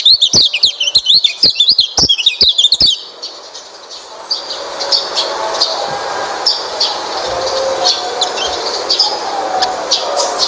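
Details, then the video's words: Oriental white-eye song used as a lure to get a quiet white-eye singing: about three seconds of rapid, high twittering and warbling notes, then steady hissing background noise with only faint chirps for the rest. "pancingan burung pleci malas bunyi"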